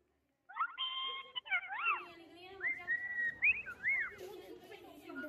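An Alexandrine parakeet talks in short, whistled, speech-like phrases with rising and falling inflections, mixed with a few sharp squawks, over faint room noise.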